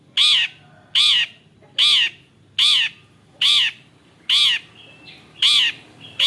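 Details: Long-tailed shrike (Lanius schach), a bird said to imitate many other birds' voices, giving loud harsh arched notes repeated roughly every 0.75 seconds, each with layered overtones, one softer whistle between them, quiet background.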